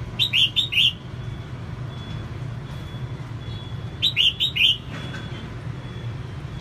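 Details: Female red-whiskered bulbul sings to fire up males: two short bursts of about four rolling whistled notes, roughly three seconds apart, over a constant low background rumble.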